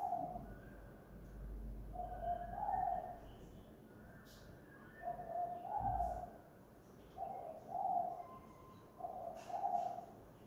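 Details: Spotted dove used as a decoy bird, cooing at home in the 'kuk gantung' style: mellow, low hooting phrases of two or three notes, repeated about every two seconds over steady background hiss, with faint clicks.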